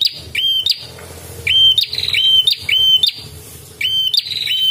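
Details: Red-headed prinia calling repeatedly, used for training and luring birds: loud, buzzy phrases, each a rising whistle levelling into a steady high tone, in bursts with short pauses between, over a low background hum.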